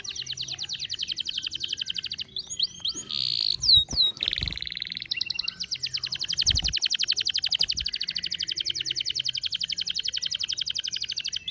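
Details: Canary in heightened breeding condition (over birahi) delivering long, fast, rolling high trills almost without pause, broken midway by a few swooping whistled notes and soft thumps.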